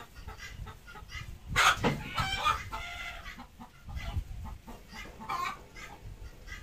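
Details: Desi hen laying an egg at home gives one strong, grating cackle followed by quieter, irregular clucks, with low thuds in the background.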